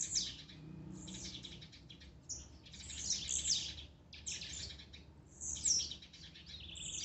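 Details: A blue-black grassquit in a warm-up recording of songs meant to excite a caged bird gives short, high, buzzy phrases, one every second or two, over a faint low background hum.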